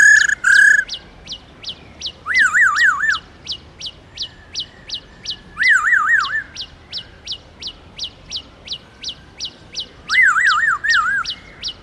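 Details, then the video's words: Black-throated laughingthrush in wild-style song for stimulating captive birds: rapid zigzag whistled trills recur every few seconds over a continuous series of sharp high ticking notes, with occasional buzzy bursts. "Khướu Hót giọng rừng"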